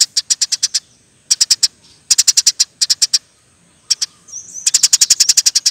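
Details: Chattering Eurasian tree sparrow, recorded in 'nembak rapet' style as a masteran aid: groups of four to six high chirps, then a brief soft slurred note and a long closing run of quick chirps.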